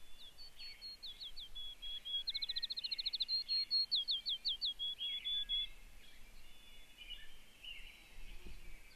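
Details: A Field Sparrow (Spizella pusilla) sings on its territory in a regenerating clearcut in Maine: a series of high, sweet, slurred whistles that speed up into a quick trill, over steady outdoor background noise.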